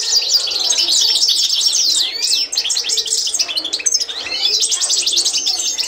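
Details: European goldfinch delivering the authentic Constantine song for bird training: lively high twittering, sweeping downward whistled slurs around the middle, then a bright rapid buzzing trill toward the end.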